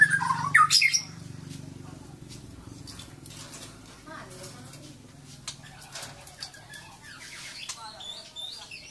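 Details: A White-rumped shama in Kuching, a species known to mimic and here said to imitate a rooster's crow, gives one loud burst of slurred, rising and falling whistles, then only faint scattered chirps over a steady low hum.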